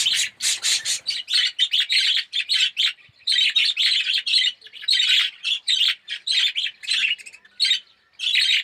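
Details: Budgerigar colony in an aviary, Australian red-eyed yellow birds, calling in a steady run of chirpy warbled bursts that stop and start throughout.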